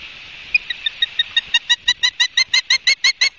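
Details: Osprey at a nest in Barnegat Light, New Jersey, on 31 August 2022 at 12:30; a series of short, piercing whistled chirps that speed up and grow louder, about sixteen notes in three seconds.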